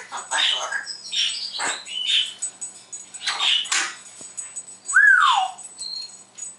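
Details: Pet parrot indoors on a happy morning, imitating sounds and speaking words: a run of varied harsh, speech-like bursts followed by a clear rising-then-falling whistle near the end, with a faint steady hum underneath.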